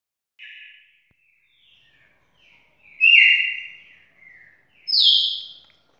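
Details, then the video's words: Champion red-cowled cardinal singing: a soft opening note, quiet scratchy twitters, then two loud, sweet whistled phrases, each starting high and sliding down before holding steady. "galo campina campeão"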